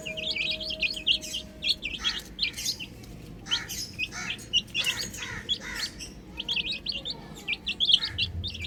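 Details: Chicks playing on a roof give dense, sharp high-pitched cheeps, overlapping in rapid volleys from several birds, with scattered clicks and a faint low hum behind.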